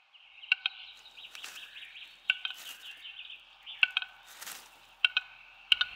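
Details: Western capercaillie cock courting hens in a Serbian forest gives its display call: sharp, dry clicks, often in quick pairs, about a second apart, over a steady high warbling tone, probably background music.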